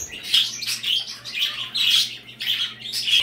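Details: Several birds kept in a bird room chirp and tweet in quick high bursts, each cluster lasting a fraction of a second; a faint low hum runs underneath.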